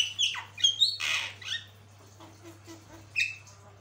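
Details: Javan myna singing: loud grating squawks and bright whistled slurs at the start, a quieter pause with soft low notes, then a final sharp whistle; faint hum behind.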